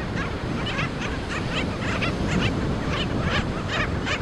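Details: Black skimmer chicks in their colony: a fast run of short, nasal yapping notes repeated roughly every quarter second over steady surf and wind rumble.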